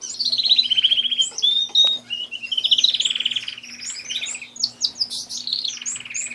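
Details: Captive canary in full song: continuous rapid trills sliding from high to mid pitch, with rolling tremolo passages and sharp whistled notes over a faint electrical hum.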